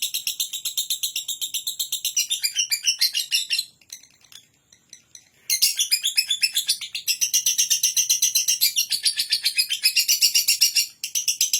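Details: Rapid, buzzy lovebird ngekek chatter of evenly spaced high pulses, breaking off into near silence for about two seconds before resuming just as loud and continuing to the end.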